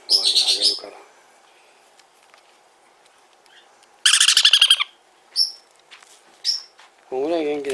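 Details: Sun conure chick, hand-reared in a Fukuoka pet shop, Japan: short bursts of grating, pulsed screeches separated by quiet gaps, with a few thin high chirps and a woman's voice near the end.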